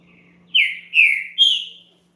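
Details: A captive green-winged saltator gives three loud, clear whistled notes in quick succession, the last pitched highest, over a faint low hum.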